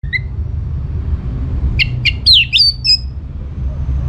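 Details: Orange-headed thrush in full song, played as a lure to make other birds answer: a short high note near the start, then a cluster of sharp, squeaky, rapidly changing notes, over a steady low hum.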